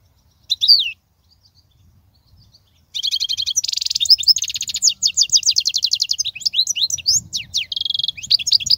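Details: European goldfinch song used to teach young goldfinches: a brief call, a pause, then an extended stream of rapid twitters, buzzy trills and liquid slurred notes.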